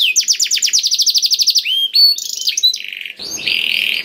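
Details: Black-throated canary song used as training material to prompt other canaries to sing: a fast, even trill of rapidly repeated high notes, then varied chirps and short whistles, ending in a harsh buzzy rattle.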